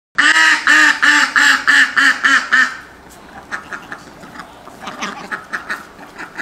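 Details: Neighbour's ducks that come to a person's door every morning and call: a run of loud, harsh, nasal quacks about three a second for over two seconds, then softer, scattered quacks and clatter.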